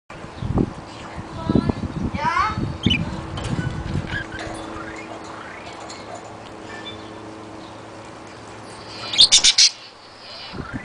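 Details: Pet budgerigars (Melopsittacus undulatus) playing give scattered chirps and buzzy chatter amid soft knocks, ending in a burst of sharp, high chirps.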